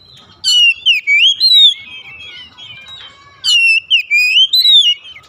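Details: Oriental magpie-robin kept at home, sung as therapy to get silent birds singing; two bursts of clear whistled, slurred notes rising and falling, with high sharp chips at the start of each phrase.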